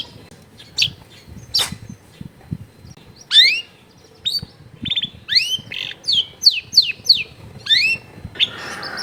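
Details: Long-tailed shrike in a densely populated residential area. Clear, high whistles slur sharply downward and are repeated in a lively series, with a few scratchy notes between them. Soft low rumbling sounds in the background.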